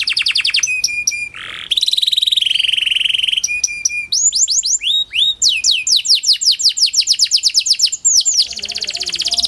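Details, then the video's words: Panda canary singing to encourage other canaries to sing: repeated pure whistles, a low buzzy phrase, then a lively stream of swept chirps ending in a fine trill. "Pancingan Kenari Panda AMPUH, Membuat Kenari Malas BUNYI Jadi Bunyi"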